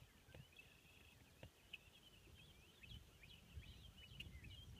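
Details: Ruddy Turnstone at Four Rivers CA, Vernon County, Missouri, giving a loose series of short, sharp chipping and chattering notes, some slurred downward, over a steady low rumble of wind or distant traffic.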